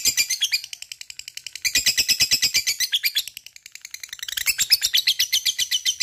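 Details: Lovebird in full long ngekek chatter, played to provoke other lovebirds into singing: fast, harsh, buzzy pulses in rolling bouts of about a second and a half, rising and falling in loudness, with short lulls between bouts.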